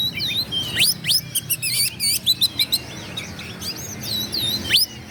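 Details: Oriental magpie-robin song used to rouse rivals to anger and tail-spreading. Swooping whistles and steep upward slurs mix with rapid stuttered chirps, in irregular bursts between short pauses.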